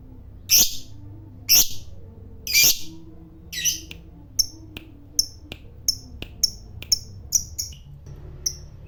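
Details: Fighter lovebird calling to provoke a rival: three harsh, loud, shrill bursts about a second apart, then a quickening run of short thin high chips and ticks.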